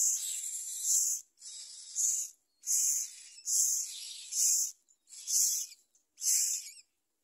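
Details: Myna chick begging as its parent feeds it a large blue caterpillar: harsh, hissing bursts, each about a second long, repeated roughly once a second in a steady series with short silent gaps.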